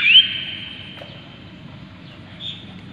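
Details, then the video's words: A common iora (Aegithina tiphia) gives one clear, rising whistle that settles into a long, steady high note and fades over about a second. A faint low hum runs underneath. "BURUNG CIPOH paling sukses bikin sirtu lain yang mendengar ikut emosi dan gacor"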